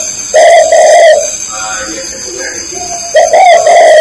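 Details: Spotted dove from Ba Vì in Hanoi, Vietnam, sounding two loud, close, buzzy coos, each a short note then a sustained rolling one, with a person speaking briefly between them.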